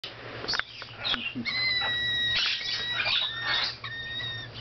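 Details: A four-month-old umbrella cockatoo at a pet shop in Baton Rouge, USA, whining softly in a baby voice: thin, drawn-out whistled tones, some held steady and some wavering, repeated with short breaks over background chatter and room noise.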